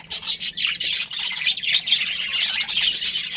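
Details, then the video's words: Budgies from a breeding pair trilling and chirping quickly, a busy run of short, sharp, high notes and scratchy warbling without a break. "Budgies Chirping Sounds"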